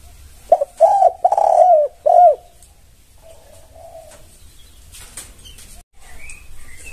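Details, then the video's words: Spotted dove (tekukur) song from a masteran recording meant to make other doves answer: a loud phrase of rounded, mellow coos with a stuttered start, then one softer, distant coo after a pause. Faint rustling and a thin high chirp follow. "MASTERAN 2024 Sudah terbukti semua tekukur langsung NYAUT"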